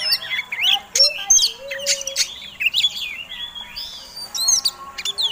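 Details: Provocative fighting song from an Oriental magpie-robin: scattered sharp high whistles, short trills and rasping notes in irregular phrases, with a lone lower drawn-out whistle and quieter stretches between outbursts.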